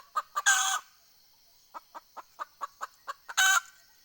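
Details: Decoy red junglefowl hen calling wild fowl, 20 April 2020: two clucks and a loud grating squawk, a pause, then a rapid string of evenly spaced clucks ending in another harsh squawk.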